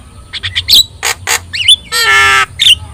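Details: Javan myna with yellow eyes singing for songbird training: mixed squeaks, harsh bursts and twisting whistles, with one long, buzzy, nasal note in the middle.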